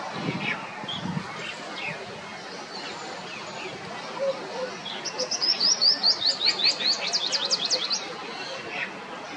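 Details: Asian green bee-eater (Merops orientalis) perched on a Casuarina twig in an orchard in New Delhi, ready to catch insects on the wing, gives a quick burst of about a dozen high, trilled chirrups over three seconds.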